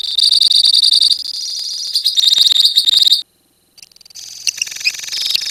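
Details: Rapid shrill chattering from a colony of lovebirds singing 'ngekek', strong for about three seconds. A half-second silence follows, then the birds resume with scattered sharp, high chirps and trills.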